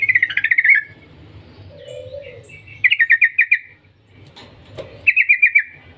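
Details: Yellow-vented bulbul singing in the 'ngetir' style to lure other bulbuls: three rapid rippling trills of quick descending chirps, with a short lower hum and a couple of clicks in the gaps.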